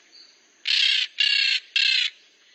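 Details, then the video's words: Three loud, rasping squawks in a row from a maritaca making noise, evenly spaced and each nearly half a second long. "O Canto das Maritaca fazendo barulho"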